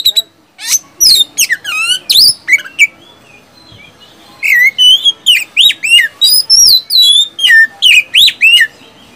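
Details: Oriental magpie-robin (kacer) singing in an energetic gacor style used to lure silent caged birds into song: loud whistled phrases with sharp rising and falling sweeps, delivered in rapid bursts after a short pause.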